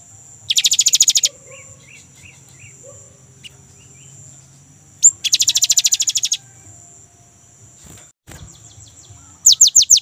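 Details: Rolling ngerol trill of a young, lively great tit, played to coax kept birds into song. Bursts of rapid high notes under a second long repeat about every five seconds, with faint softer chirps between.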